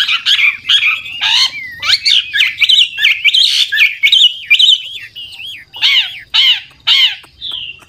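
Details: Old wild Chinese hwamei decoy singing with trills and constant voice changes to prompt newly caught birds to sing. Loud, varied whistled slurs mix with harsher chattering bursts, delivered in an uneven, energetic stream of phrases.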